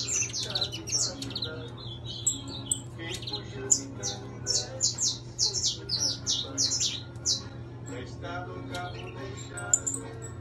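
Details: Saffron finch, intense yellow, kept by an owner, giving scattered high chirps that build into a mid-stretch burst of clipped, repeated notes before trailing off, a steady low hum behind.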